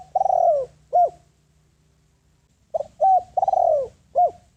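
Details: Decoy spotted dove calling to draw wild doves closer: the end of one phrase with a long trembling coo and a short note, a pause, then a full phrase of soft mellow coos with a rolling descending middle.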